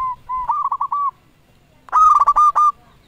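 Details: Local zebra dove giving a lure call meant to provoke rival doves into answering and to stir breeding drive. Two rolling, stuttered coo phrases sound near the same pitch: a softer one, then a louder, harsher-edged trill after a pause.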